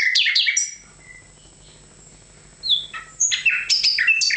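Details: Nightingale song opens with a dense, loud cluster of chirps, goes quiet with a few faint notes, then returns with scattered sharp high notes and buzzy fragments.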